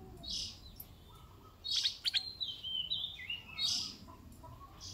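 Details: Red-eyed bulbul decoy bird's song: a sequence of liquid whistled phrases sliding downward, mixed with brief buzzy bursts, over faint low background noise.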